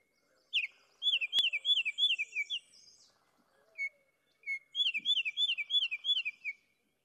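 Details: Baltimore oriole (Icterus galbula), song.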